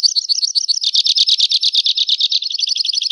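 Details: Two-barred crossbill song: a long, fast, dry trill of rapidly repeated high notes, changing texture partway through into buzzier and then clearer rolling phrases, continuous for three seconds.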